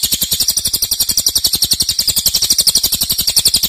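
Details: High, rapid stuttering rattle of a cililin in loud 'nembak' song, the sharp pulses packed closely and evenly through the whole short stretch.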